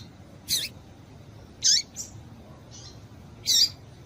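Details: Female double-collared seedeater piping to excite males: three strong high chips about a second apart, with two fainter notes between, in a calm setting.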